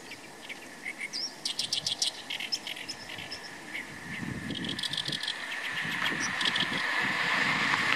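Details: Oriental reed warbler perched close, about 8 m off, under cloudy or sunny skies; scratchy, chattering phrases repeat through the first half, then a rising low rumble and hiss with scattered high chirps toward the end.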